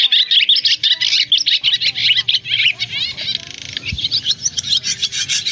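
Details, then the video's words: Swiftlets, a recording used as a lure for net trapping in August 2024, calling the flock to roost: dense, rapid high twittering and chirping, overlapping buzzy trills and squeaks that pour out continuously. "Tiếng ÉN ĐEN , Én bụng trắng , nhạn gọi ru ngủ"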